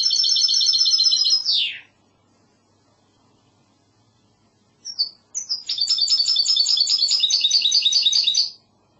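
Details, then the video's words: Goldfinch hybrid singing in classic Andalusian style: a fast metallic trill ending in a downward slur, a pause of about three seconds, a few short whistles, then a long rapid trill of repeated notes. "CANTO MIXTO PEPEGRANADA تغريد هجين الحسون الإسباني"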